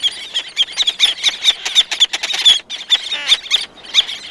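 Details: Loud close calls from several black-naped terns, with others in the distance. Rapid, repeated high squeaky chattering notes follow one another several times a second.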